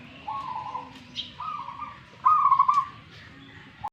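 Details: Zebra dove of local stock from Tuban in East Java, described as fighting. It delivers a series of even cooing notes that step slightly higher, ending in a loud quavering trill. A faint human voice comes before it.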